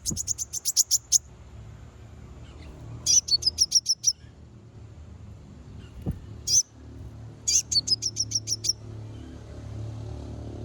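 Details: Konin lure song meant to rile rival konin: rapid trains of high, thin, clipped notes in four bursts, some of eight or more quick chirps, with a single loud click and a low background hum.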